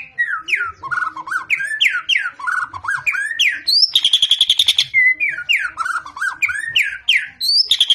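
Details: Murai batu, or white-rumped shama, a fighter-type bird, singing in rapid repeated slurred whistles that dip and rise, broken by a harsh buzzy rattle near the middle before returning to bright whistled phrases and high rising notes.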